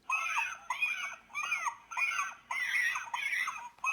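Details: Young cormorants, presumably chicks begging their mother for food, give rapid, wavering, nasal begging calls in overlapping bursts about every half second, rising and falling with a whiny, squealing quality.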